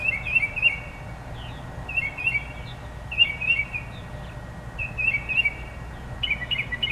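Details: Bird song of short twittering phrases, each a cluster of thin whistled notes, repeated about every one and a half seconds at moderate volume over persistent low outdoor noise.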